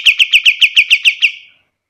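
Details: Pied triller (kapas tembak), recorded as a master track for teaching other birds: a quick series of nine clear, slightly buzzy notes, each falling at the end, repeated about seven times per second over just over a second, then stopping.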